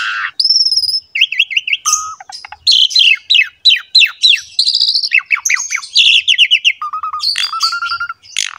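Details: Asian pied starling in lively full song, a masteran recording for training young, lazy or wild-caught starlings: fast varied phrases of whistles, downslurred notes and rapid trills, with long clear whistles at the start and end.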